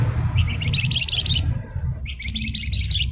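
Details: Blue-winged minla (flamboyan), recorded as masteran of a gacor singer. Two fast, jerky chattering phrases of buzzy notes are separated by a brief gap, over a steady low rumble.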